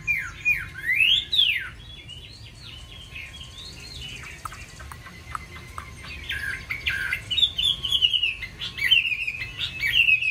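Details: Varied song of a caged Chinese hwamei mimicking many forest voices: steep rising and falling whistles, then softer scattered notes and clicks, building again to a bright run of repeated descending phrases.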